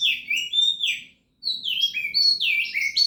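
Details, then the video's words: Oriental magpie-robin, a caged contest bird in Indonesia, delivering rich whistled song phrases with swooping slurred notes, broken by a brief silent pause, then resuming with climbing, tumbling whistles. "Burung Kacer Gacor"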